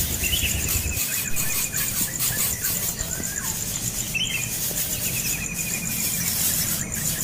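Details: Young bird screaming as its parent attacks it after it keeps begging for more food. Two harsh squeals, each opening on a sharp rising note, then trailing into a buzzy rattle, over a steady high hiss and broad background noise.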